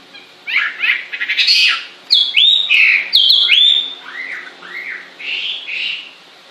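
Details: Singing bird mixing harsh, rattling buzzy bursts with loud clear whistled notes that drop in pitch, then softer looping warbles toward the end.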